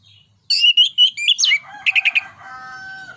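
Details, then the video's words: Orange-headed thrush song, loud and clear, used as a lure and tutor song for other birds: a quick run of loud, clear whistled notes, some rising, then four fast repeated notes, trailing into a thin steady tone. "ANIS KEMBANG NGEPLONG NEMBAK BUAT PANCINGAN"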